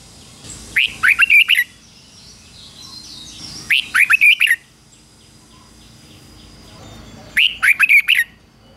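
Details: Singing decoy red-whiskered bulbul calling wild birds in to fight; three bubbly phrases of quick, slurred chirping notes repeating about every three seconds, with faint distant bird chatter and steady background noise.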